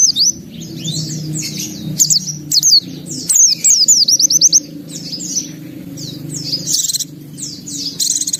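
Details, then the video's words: Singing white-eye delivers a long, busy run of high, quick, slurred chirps and trills, some in fast repeated series, almost continuous over a faint low hum. "Suara Burung Pleci Gacor Buka Paruh Bongkar Isian"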